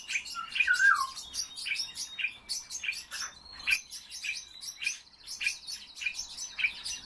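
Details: Captive common starling singing: a slurred falling whistle, then a long run of rattling clicks, squeaks and a thin buzzy trill, delivered in rapid uneven bursts.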